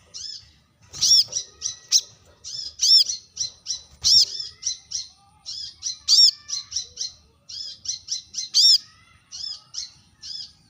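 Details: Brown-throated sunbird giving sharp calls toward rivals: a dense, almost continuous chatter of high twittering notes punctuated by louder ringing chips, with a couple of faint clicks.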